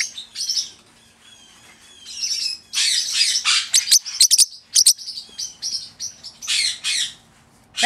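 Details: A pet male parrotlet, born October 2008, gives quick, high, scratchy chirps and squeaky bursts in an uneven run, saying "pretty bird", while its owner coaxes it in the background.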